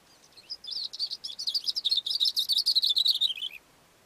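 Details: Cape grassbird singing from a rock on a mountain slope: a three-second run of rapid high scratchy notes, about three per second quickening to a dense chattering series that slides gently downward at the end, over quiet background.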